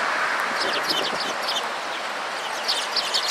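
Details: Sparrows flocking to food at a Tenmangu shrine on 28 December 2016; many high, short chirps overlap in quick, irregular bursts over a steady broadband rushing background noise.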